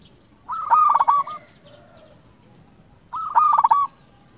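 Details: Active local zebra dove song, played to provoke silent or stressed doves into singing: two short phrases about two and a half seconds apart, each a quick stuttering coo run with a loud gravelly middle, over low background noise.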